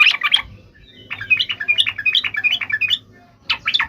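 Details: Yellow-vented bulbul in lively 'gacor' fighting song, meant to provoke other bulbuls into answering: short bursts of bubbly, warbling notes, a brief opening burst, then a longer chattering run, a pause and another burst.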